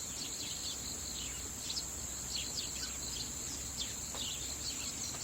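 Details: Young Eurasian tree sparrows photographed 3 October 2015, coming down to drink from tap water, give faint, short chirps scattered through the clip, set against a steady high insect hum and low background noise.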